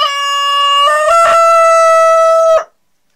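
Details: Denizli rooster giving a long drawn-out crow while mating with a hen: one sustained, even, harmonic note held about two and a half seconds, stepping slightly higher partway through, then cutting off into silence.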